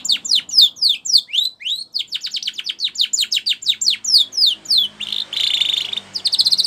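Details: Canary singing a training song, a fast stream of sharp descending chip-like syllables, roughly three to four per second, shifting into a buzzing trilled roll, then quick notes again; light background hiss.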